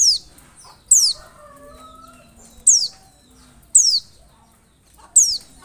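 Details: Oriental white-eye lure call, used to make other white-eyes answer: sharp, very high down-slurred notes in short bursts about every one to one and a half seconds, with faint lower whistled tones behind.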